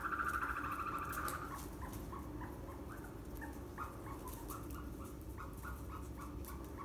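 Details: Ostrich chicks kept on a farm in northern Saitama, Japan, recorded 7 May 2020: a steady run of short, clear peeping notes, roughly three per second, after a louder opening cheep, over a constant low rumbling background.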